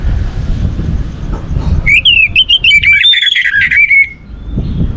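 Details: Orange-headed thrush singing to prompt other birds: a two-second string of clear, wavering whistled notes, preceded and followed by low rumbling background noise.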